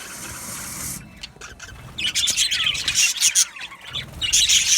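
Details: Budgerigar colony in an aviary, many birds chirping at once; after a hissy opening, dense overlapping squeaky chirps and warbling chatter swell in bursts and fade, high and busy throughout.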